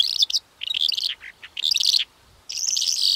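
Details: Calandra lark song: bursts of bright, scratchy chirps and trills high in pitch, separated by short pauses, with a longer buzzy phrase at the end.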